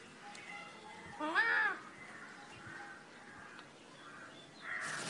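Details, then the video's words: Eclectus parrot kept at home in Nawalapitiya, Sri Lanka, giving a single harsh, nasal squawk with stacked harmonics lasting about half a second, rising then falling, over a quiet background hiss with a brief rustle at the end. "Eclectus Parrot"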